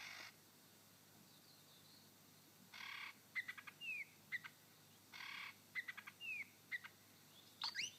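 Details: A male superb lyrebird on his dancing mound in Sherbrooke Forest Park imitates a shrike-tit: harsh, scratchy rasps alternating with clear high whistles and quick downslurred notes, repeating roughly every two and a half seconds.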